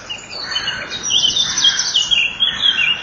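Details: Inside a common kingfisher nest burrow, 12 May 2013 around 07:57, a male comes to feed the young while the female leaves. Softer high notes give way to a loud, rapidly pulsing, buzzy trill.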